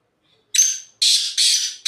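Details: Harsh, grating call of a black francolin perched on a rock top: a rasping note, a brief pause, then two more scratchy notes close together and the start of another, with nothing else audible.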